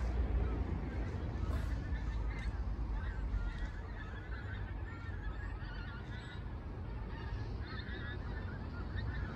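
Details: Dozens of pink-footed geese flying over a house in Barnton. They give overlapping nasal honks that carry on through the whole recording. Under them is a steady low rumble of wind or traffic.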